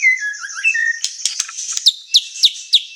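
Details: White-rumped shama song for provoking and training birds: gliding whistles, then sharp clicks and four evenly spaced downward-sweeping notes repeated roughly every third of a second.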